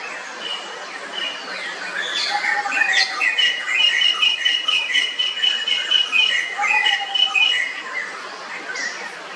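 A Malabar whistling thrush gives a rambling run of clear, high whistles mixed with scratchy, squeaky notes, with a couple of lower whistled phrases and a faint background hiss.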